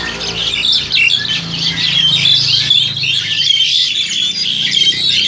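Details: Captive Crested Myna, about seven to eight months old and bred in Indonesia, recorded on an old Samsung Grand2: rapid, harsh chattering and squeaky notes throughout, over a faint low droning hum.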